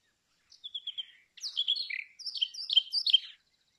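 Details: Brown rock chat opening with a brief soft trill, then a scratchy warbled phrase and several quick falling chirps, about three seconds of song.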